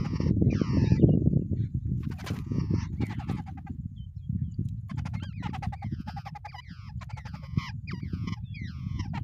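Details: Two wild babblers together at their nest give harsh, nasal, downward-sliding calls in quick overlapping bursts, several birds chattering at once, over a steady low rumble of wind or handling noise.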